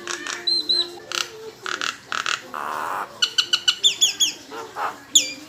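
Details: Nias hill myna lure song for prompting other birds to sing and show their repertoire: scattered harsh bursts, then a rapid series of sharp, bright whistled notes repeated about five times.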